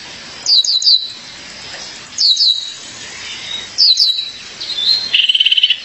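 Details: A female violaceous euphonia calls for her mate with triplets of sharp, high falling notes repeated about every one and a half seconds, ending in a dry buzzy rattle.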